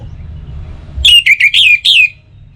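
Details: Orange-headed thrush song, played as a lure for morning and evening to get birds singing: a single bright whistled phrase of five linked notes, dropping then wavering, after a second of low hum.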